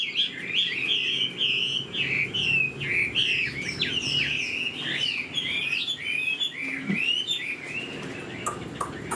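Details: Hwamei in a cage, tail fanned and flicking, new plumage; steady series of looping whistled phrases, each bending up then down, with a few sharp clicks near the end.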